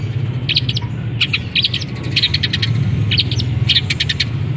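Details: Long-tailed shrike in a cage, singing right after its cover is lifted, mixing in canary, sparrow and kapas tembak phrases; quick clustered bursts of high, scratchy chirps separated by short pauses, over a deep steady hum.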